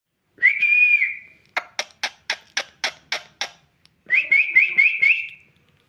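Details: Parrot giving a bright whistled note that rises then holds level, followed by a run of about nine sharp, evenly spaced clicks, then a warbling whistle broken into quick rising pulses.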